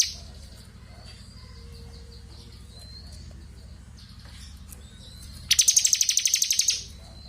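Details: Bar-winged prinia known as crystal ciblek, recorded for tutoring magpie-robins: after a quiet stretch with low background hum and faint thin whistles, a loud high rattling trill of rapid pulses bursts out for over a second.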